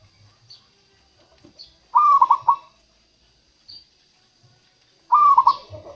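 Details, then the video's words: Local zebra dove sings two rolling, stuttered coo phrases about three seconds apart; the song serves as a lure for catching wild doves and for encouraging quiet doves to call. "suara perkutut lokal untuk pikat dan pancingan"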